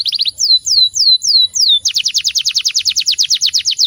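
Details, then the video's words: High-volume canary song built around clear, dominant rolls. About five separate downward-sweeping whistles give way to a rapid, steady trill of clipped high notes, roughly three per second or faster. "Kicauan bervolume tinggi dengan kerolan yang dominan dan jelas."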